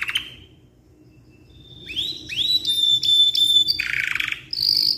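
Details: Ngeroll canary of black-red coloring, long tutoring song: after a short quiet gap, rising whistled slurs build into a bright sustained tone, then a low buzzy roll and a high whistled finish.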